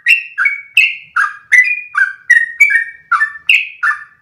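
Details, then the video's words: Yellow-vented bulbul (trucukan) in lively, continuous ropel song, a tutor recording for training other bulbuls; bubbly whistled notes that slide down and then up, about ten phrases in quick succession with no pauses. "MASTERAN burung trucukan terbaik biar ikutan ropel panjang 1 nafas"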